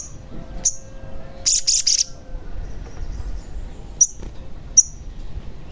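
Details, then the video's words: Sogon calls used as a lure to make a caged sogon sing: a dense burst of high, scratchy chirps, then two isolated sharp high clicks a second apart, with faint background hum. "Pancingan Sogon Agar Bunyi, Sogon Bahan, Sogon Malas Bunyi, Sogon Macet Bunyi, Pasti Langsung Bunyi"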